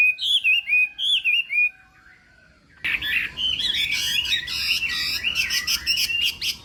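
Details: Chinese hwamei giving contest-style morning training song: rich slurred whistles, a brief pause, then a denser burst of harsh, buzzy and chattering notes mixed with rapid whistled fragments.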